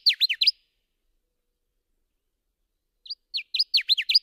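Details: Subalpine warbler (Sylvia cantillans) singing short bursts of rapid, scratchy, sharply down-slurred chattering notes. A half-second phrase is followed by a pause, then a longer burst of the same dry notes against a silent background.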